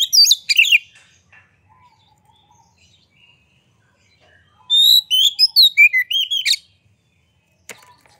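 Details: White-rumped shama song used to goad other birds into singing; a short whistled flourish, soft scattered notes, then a loud phrase of long whistles and rolling warbles, followed by a sharp click.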